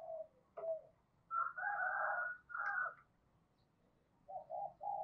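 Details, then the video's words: Decoy spotted dove cooing to provoke wild doves. Quiet, rough-toned coos stand over low background hiss: a couple of clipped notes, two longer drawn coos, then three short even notes near the end. "Chim Cu Mồi thúc và gáy gọi mở lên kích bổi hiệu quả nhất"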